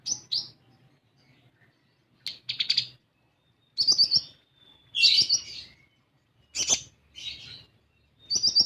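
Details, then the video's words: Olive-backed sunbird song used as a lure for young birds: short bursts of fast, trilled high chirps, each lasting under a second, separated by pauses, with one longer gliding whistle. "Pancingan Kolibri Ninja Bahan Agar Bunyi"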